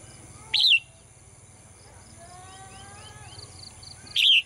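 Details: Female bird singing in a cage in the morning in Thailand: two short bright chirps, each a quick rising-falling note, about three and a half seconds apart, over a faint steady high hiss and soft low hum.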